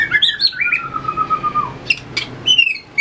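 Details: White-rumped shama practising competitive song while tail-flicking and hopping on the perch: opening bright chirps give way to a long, gently falling whistle, then sharp clicks and a high, steady whistled note.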